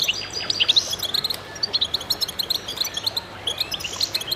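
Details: Several goldfinches singing at once, a busy stream of sharp, high tinkling chirps repeated several times a second, with occasional thin buzzy notes layered over the twittering.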